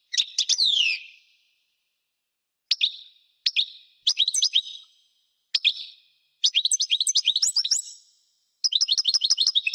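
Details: Extended European goldfinch song: chirps and downward-slurred whistles, then rapid rhythmic chains of bright tinkling twitters delivered in bursts, nothing else audible.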